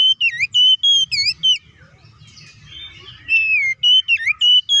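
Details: Oriental magpie-robin in vigorous, open-throated fighting-style song, used to provoke other magpie-robins. Loud clear whistles and sharp chevron notes come in quick bursts, then a softer scratchy chattering passage before the bright whistles return.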